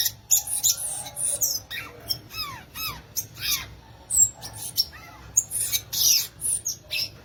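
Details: Violaceous euphonia, called guriatã, delivering a lively song of quick high squeaky notes mixed with a series of downslurred chirps repeated about twice a second, then sharper piercing whistles near the end.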